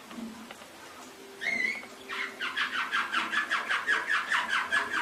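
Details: Canary song from an Indonesian masteran recording for training pet canaries: a brief rising whistle, then a rapid run of repeated chopped notes, about two or three per second, over faint background hum.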